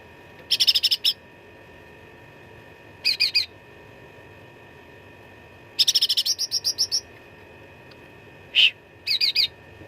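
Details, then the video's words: Cucak ranting in fighting song, dense and full of varied fills, used as a master recording for contest birds: short bursts of rapid, bright staccato notes, some buzzy, separated by pauses of one to two seconds, with a quiet steady hum behind. "CUCAK RANTING GACOR TERBARU 2025 _ SUARA TARUNG FULL ISIAN"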